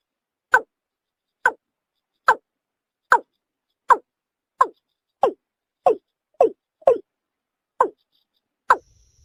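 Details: Eleven crisp, evenly spaced falling notes from a watercock, close to one every 0.8 seconds, in near silence.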